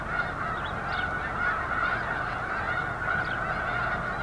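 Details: Large flock of snow geese at Eagle Scout Lake on 13 February 2024, a dense unbroken chorus of overlapping nasal honks with a steady roar and no pauses.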